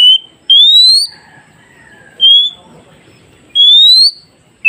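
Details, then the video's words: Song of an oriental magpie-robin meant to get newly trapped forest birds responding: bright whistles of about half a second in irregular bursts, mostly rising, with a lower, softer steady tone in between and faint sweeping sounds behind. "Dengarkan KACER ini Agar Kacer hutan Baru Dapat Cepat nyaut"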